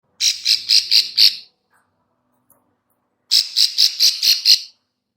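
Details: Female bar-winged prinia giving its clicking call, used as a lure for catching birds: two short bursts of about six dry, high, rapid clicks, separated by a second and a half of silence.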